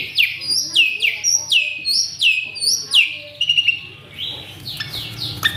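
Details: Asian pied starling, an agitated male, sings a varied mimicry-filled song. Bright descending whistles come in quick succession, then give way to a rapid buzzy trill and higher slurred notes near the end.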